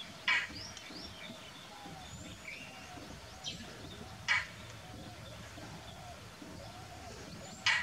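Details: Indian roller calls: three short, harsh, rasping bursts spaced several seconds apart. They stand over a steady background hiss, with faint thin chirps of other birds between them.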